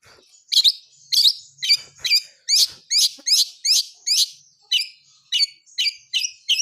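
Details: Long-tailed shrike (cendet blangkon), described as wild, singing energetically in a full-fill style: a fast series of harsh, buzzy, descending high notes, about two per second, over a quiet background.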